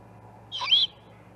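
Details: A raspy, wheezing screech from a juvenile great horned owl at the Charlo osprey nest, 21 October 2020, one burst lasting about a third of a second with a wavering, slightly rising tone.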